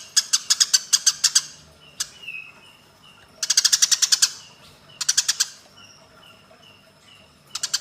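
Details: Training audio for cage birds of Eurasian tree sparrows fighting: harsh chirps in quick series, interrupted by pauses with soft repeated whistles, then two more dense bursts and a final run starting.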